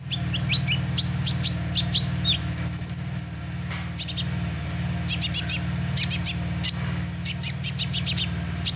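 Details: Young sunbird calls played as a lure: rapid bursts of very high, sharp chirps in clusters of two to five, with one thin rising whistle near the middle, over a steady low hum.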